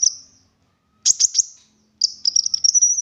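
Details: Olive-backed sunbird 'gacor' song for prompting other sunbirds to sing: a thin high whistle, a quick triple chirp, then a long, shimmering high trill.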